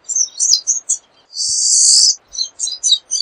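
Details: Pine siskin singing: rapid high twittering notes, a long harsh rising buzz in the middle lasting about three-quarters of a second, then more quick chirps in short bursts.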